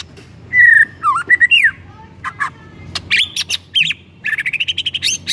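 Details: White-rumped shama song used to provoke another shama into singing: a long steady whistle, quick twisting notes, sharp clicks, then a fast chattering series of bright, buzzy notes.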